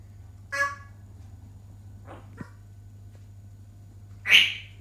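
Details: A pet African grey parrot lets out a short harmonic squawk, a few quiet clicks, then a loud harsh screech near the end, against a low steady hum.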